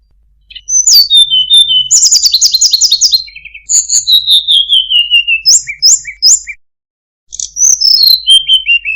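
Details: Tledekan gunung (Sunda robin) song, very sweet with good cengkok: fast repeated chirping runs, a long falling whistle, short sharp doubled notes, a pause, then more descending whistles.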